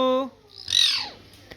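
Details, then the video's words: Pet parrot indoors in a small room: a short low harmonic note, then a harsh, loud screechy squawk sweeping downward, lasting about half a second. "Parrot Talking"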